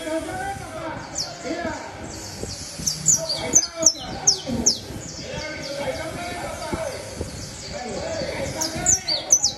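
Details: Canary giving quick clusters of thin, high, downward-slurred notes, loudest around the middle of the passage and again near its end, over a continuous low hum of background talk.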